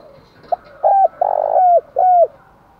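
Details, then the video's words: Spotted dove giving a stimulating coo that prompts wild doves to coo quickly: a soft lead note, then three low hollow notes, the middle one long and grainy, the last one drooping at its end. "cu gáy kích bổi - cu gay kich boi nhanh noi gù"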